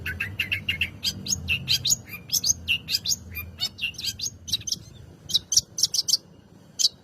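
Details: Long-tailed shrike song played to provoke other birds to sing, a lively, varied stream of high chirps, squeaks and harsh notes that thins out toward the end.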